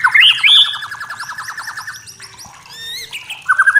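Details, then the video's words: Forest white-rumped shama, natural song: a high looping whistle over a steady rapid trill, a quieter pause, then a burst of bright repeated notes. "Suara Murai Batu Hutan Jernih Alami Jernih Shama bird"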